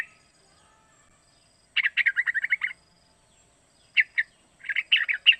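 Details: Calls of a young sooty-headed bulbul, three months old, used as a lure to get others singing; a quick burst of rapid chattering chirps, then paired notes and a scratchy run of bright chirps near the end.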